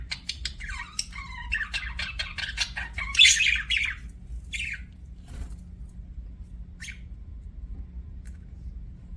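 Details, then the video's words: Budgerigar in an aviary chattering: quick raspy chirps and warbles in a burst that peaks with a louder squawk, then fades to sparse single chirps over a low hum. "BUDGIE CHIRPING SOUNDS"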